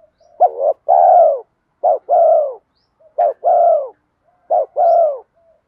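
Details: Spotted dove used as a lure for wild doves, singing a 'giọng đồng' style with urging 'thúc' coos: a quick stuttered note followed by a rich, drawn-out, downward-sliding coo, repeated about four times in a quiet setting.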